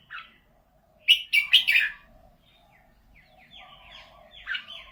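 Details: Red-whiskered bulbul with a prized golden voice: a quick cluster of loud, rich whistled notes, then quieter scattered chirps and a final bright phrase, with soft lower warbling from other birds.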